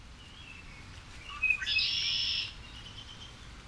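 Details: A male Red-winged Blackbird gives one conk-la-ree song, a classic spring sound of North American wetlands: a few sharp, high opening notes, then a harsh, buzzy trill lasting under a second. Faint thin chirps come before and after.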